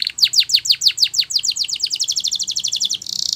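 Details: Training song of a canary: a series of sharp descending whistled notes slowing into a fast even trill, ending in a dense high buzzy roll.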